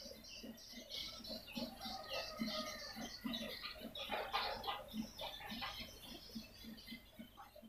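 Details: Calls of swiftlets played as a lure: continuous rapid, high, rasping chirps and twitters, with a regular train of soft low clicks about three to four per second throughout.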